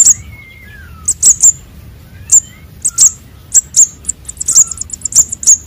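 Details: Young sunbirds, konin and sogon, in a bird-luring recording. Scattered high chips speed up toward the end into a quick run of short notes, and a faint, lower whistled note is heard early on.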